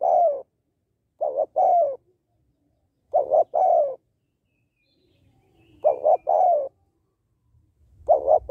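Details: Female spotted dove calling to stir up males, used to lure and train birds: repeated cooing phrases, each paired short notes then a longer falling note, roughly every two to three seconds, some faint low background noise.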